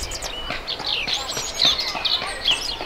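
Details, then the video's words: European robin singing a rapid, varied string of high, thin warbles and trills that slide up and down, over a faint background hiss. "Robin singing with passion | Robin Bird Song"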